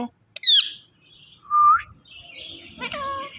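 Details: Rose-ringed parakeet kept indoors: a sharp high downslurred squeal, a clear whistle rising at its end, then a nasal, harmonic, speech-like sound over soft room noise.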